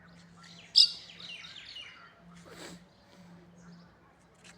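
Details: Myna among other birds in the morning: one loud, sharp chirp near the start trails into softer twittering, then a brief broad rustle, with a low steady hum underneath.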